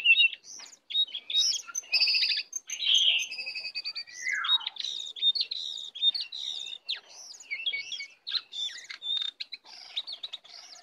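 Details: Wild lesser shortwing (cingcoang coklat) that came in to attack, pouring out a long, high, varied song of quick chirps, buzzy notes and a falling slurred phrase, sounding almost continuous.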